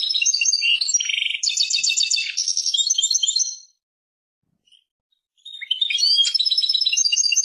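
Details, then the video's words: Lively twittering song of a European goldfinch, named Persian goldfinch: quick chirps and metallic trills for over three seconds, a short silence, then another bright tinkling phrase. "Persian goldfinch songs اواز سهرهاي اروپاي"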